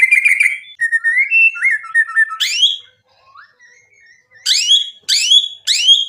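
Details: Varied whistled phrases from a white-rumped shama, slurred and warbling, then a quiet gap followed by three loud sharp sweeping notes repeated at half-second intervals.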